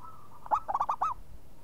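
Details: Local zebra dove giving one quick cooing phrase: a short burst of rolled, bubbling notes around the same mid pitch, rising then dropping at the end, over a quiet low hum.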